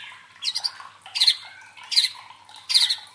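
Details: White-rumped shama (murai batu) teaser sound used to provoke fighter birds and train their fighting mentality: four harsh, noisy squawk bursts, each with a few quick pulses, coming about every three quarters of a second.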